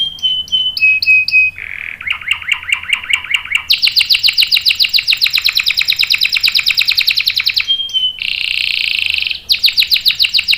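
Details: Canary song in the long rolling 'ngerol' style, played to spur canaries to sing and to tutor youngsters: short whistled notes, a warbling tour, a long bright high trill, a brief buzzy roll, then another fast trill.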